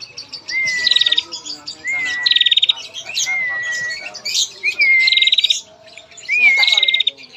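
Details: Female bar-winged prinia trilling at length as a lure for males: five phrases, each a bright whistle sliding into a buzzy chattering trill, coming about every one and a half seconds, with scattered soft chirps.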